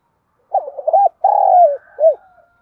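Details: Spotted dove decoy hen calling to attract males: a bubbling series of short low coos, then a drawn-out steady coo sliding slightly downward, and a final short arched coo, over a quiet background.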